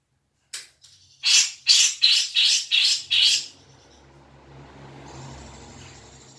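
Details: Grey-cheeked bulbul song played as a lure to get a caged bird singing: six harsh, rasping bursts in quick succession, about two or three per second, followed by a soft hiss and faint low hum.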